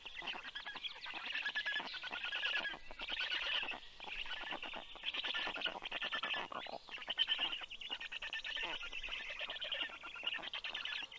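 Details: Young black storks growl at a returning parent bringing fish, recorded 9:56 AM, 11 June 2022; continuous grating, rasping chorus of overlapping pulsed bursts with uneven pauses.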